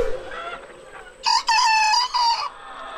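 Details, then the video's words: A two-month-old miniature bantam cockerel, one of three young males, gives one of its first crows: a short, thin, cracking crow of about a second, broken in two, over faint farmyard noise. "aquí, pues uno de los gallitos ya está cantando, imagínense."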